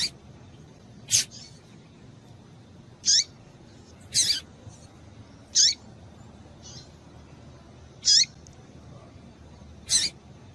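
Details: Female double-collared seedeater calling to excite the male: short, high, bright chips with a falling tail, spaced one to two seconds apart, over a low steady hiss.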